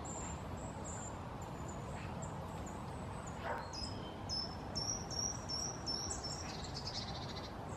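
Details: Short-toed treecreeper (Certhia brachydactyla) in the oak grove of El Tragamón, Gijón, Asturias, Spain, giving very high, thin, piercing notes in quick irregular runs, some sliding slightly downward, over a steady rushing background like wind or distant water.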